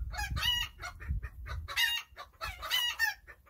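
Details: Backyard chickens enjoying their day, giving loud, nasal, rasping clucks in quick clusters. A low rumbling background noise runs under the calls.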